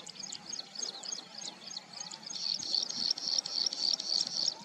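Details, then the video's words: Plain Prinia at Chandlai lake, Shivdaspura, Rajasthan, on 22 July 2020, giving quick, high, thin buzzy notes, several per second, over a busy chorus of small birds, recorded alongside black francolin and rain quail. "Call of Plain Prinia"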